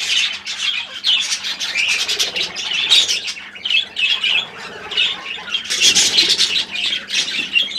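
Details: Pet budgerigars calling: continuous busy chatter of harsh squawks and warbling chirps, dense and overlapping throughout, with a low hum underneath.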